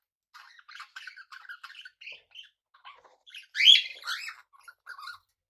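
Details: Pet budgerigars housed with cockatiels chatter softly in quick buzzy notes, then one louder harsh screech followed by more mumbled warbling.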